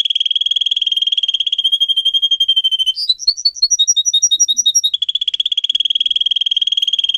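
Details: Caged canary delivering a long fast trill, broken by a burst of higher two-note whistles, then returning to the rapid even trill; bright, loud and unbroken.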